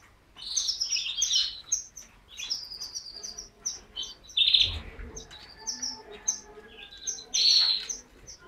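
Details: Singing canary delivering scattered high chirps, twitters and short trilled phrases with uneven gaps, a few louder rolled notes standing out, and faint lower tones beneath.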